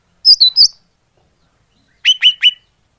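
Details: Leafbird call used as a lure for trapping birds: three sharp, high, downslurred chips, a second of silence, then three lower, evenly spaced chirps.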